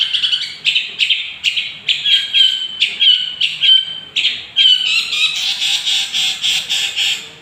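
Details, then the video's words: Young long-tailed shrike singing, used as a lure to provoke other birds: loud, rapid series of harsh chattering notes around the upper-middle range, repeated roughly every third of a second, brightening into a dense warbled run near the end. "pancingan suara burung cendet gondrong muda gacor, dijamin langsung emosi"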